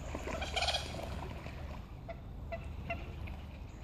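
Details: On Heslington West lakes, two fighting common moorhens produce a loud, harsh squawking burst early on, followed by a few spaced, clipped single notes over a low continuous background rumble.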